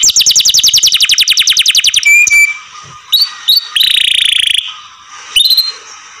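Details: A canary kept by its owners gives a fast even trill, which breaks off into scattered thin whistles and one held, buzzy note over a quiet room hum.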